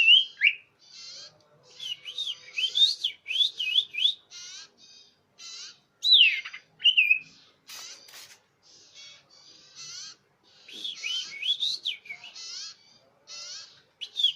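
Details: Lure call of the common iora, clear and loud: bursts of buzzy chatter mixed with twisting, high, bouncing whistles, in repeated phrases with short gaps and one sharp click near the middle.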